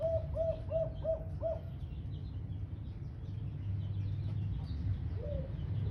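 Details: Smooth white Eurasian collared dove giving its five-beat "kuk 5" call: five even, mid-pitched coos in quick succession over about two seconds, then a pause and one more soft coo, over a steady low rumbling background.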